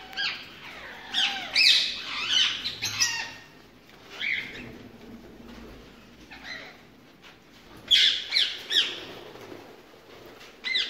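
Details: Ringneck parakeets in a mixed-bird breeding setup: clusters of rough, grating squawks and short squeals, with loud bursts at the start and again near the end separated by quieter calling.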